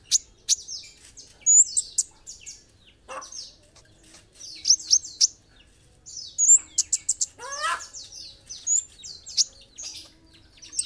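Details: Energetic song of an olive-backed sunbird (kolibri ninja): rapid, shrill high-pitched chips and fast descending trills crowding together in dense bursts, with a brief lower twittering run near the middle.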